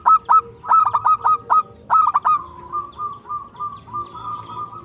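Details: Zebra dove (local perkutut) singing in the tumbak cucukan manner: several groups of loud clipped coos, then a softer drawn-out rolling phrase of gentle warbling notes, with a light background murmur.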